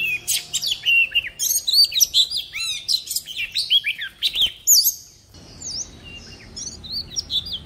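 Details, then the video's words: Oriental magpie-robin lure bird pouring out a rapid medley of varied whistles, chips and down-slurred notes for about five seconds, then softer scattered notes as the song trails off. "Chòe than mồi hót giọng rừng cực hay"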